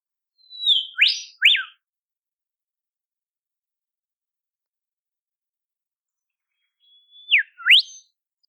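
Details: Olive whistler calling in the wild in temperate forest of southeastern Australia: two phrases about six seconds apart, each a long level high whistle falling into two sharp, whip-like slurred notes, with silence between.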